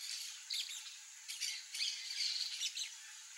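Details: Peach-fronted parakeets, Eupsittula aurea, free birds, uttering loud raspy screeches in quick succession, about two to three per second, harsh broadband squawks running almost continuously through the short stretch.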